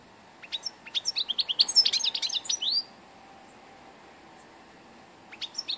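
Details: Song of an old European goldfinch from 2 August 2014: a quick burst of tinkling, chirping notes and slurred whistles for about two seconds. A pause follows, then the bird briefly starts again. A faint steady hum sits underneath.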